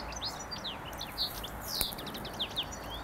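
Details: A European goldfinch about 20 m away, in sunny, scrubby, weedy ground with seed heads around Limsjön, Leksand, Sweden, in spring, sings a rapid, tinkling run of high twittering notes and liquid trills, with faint background hiss.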